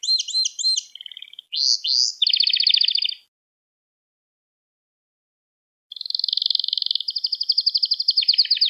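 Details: Pet canary singing, recorded as a lesson for teaching young canaries to sing: looping high whistled sweeps, then fast buzzy rolls, a pause of nearly three seconds, and a long rapid trill ending in lower notes.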